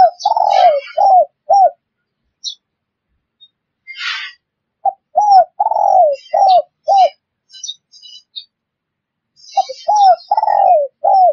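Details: Spotted dove calling, a recording used as a lure for catching wild birds: loud mellow coos in short bursts, a longer falling coo among clipped ones, repeated after pauses, with faint high chirps and a brief rustling burst.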